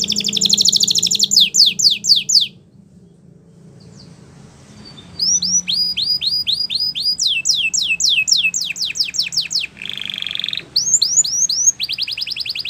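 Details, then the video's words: Song of a Belgian canary meant to tutor young canaries: high rapid trills, about three seconds of near silence, then sweeping whistled notes, a buzzy tour and more trilling. "Canary Teacher For Your Preschool Canary!! Belgian Canary Singing"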